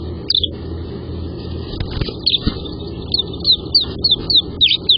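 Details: House swallow chicks growing in a nest box, day 38: short, high thin chirps scattered through the clip, clustering and speeding up toward the end, over a steady low rural hum.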